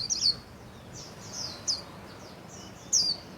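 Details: Pet Japanese white-eye singing 'líu' with spread wings, heard fairly faintly over a steady background hiss: three or four high, slurred chirps spaced irregularly across a few seconds.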